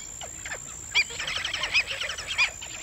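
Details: Black-winged stilt: three sharp, nasal yelps in under two seconds, overlapping busy chattering calls of other birds and a steady high-pitched whine.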